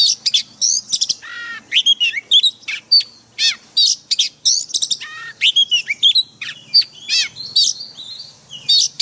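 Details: Forest-style song of a white-rumped shama, used daily to train caged birds: loud, varied phrases of sharp high whistles, quick down-slurred notes and rich warbles, in short bursts with brief pauses between them.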